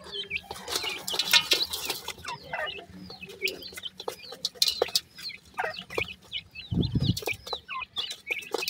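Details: Several black francolin chicks call for their mother with many overlapping high, hooked peeps, rising and falling. A dense, busy chorus is broken by rustling and one low thump near the end.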